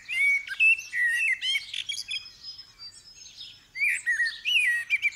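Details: Common blackbird going full tilt in the early dawn chorus: loud, clear whistled phrases ending in squeaky flourishes, then a brief hush before more warbling, with thin chirps of other birds around. Stereo recording, December 2019.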